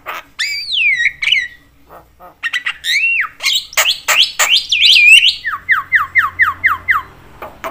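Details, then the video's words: Javan myna singing busily, a sound said to provoke other mynas; loud swooping whistles and sharp clicks, ending in a fast run of falling whistled notes. "jalak kebo gacor BAWEL sekali bunyi bikin semua jenis burung jalak emosi koar koar"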